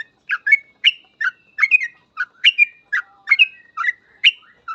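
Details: Trucukan (sooty-headed bulbul) giving gacor full ropel song for trucuk training: steady series of clear, fluty two-part whistles, roughly one burst per second, some notes sliding upward, with no other sounds.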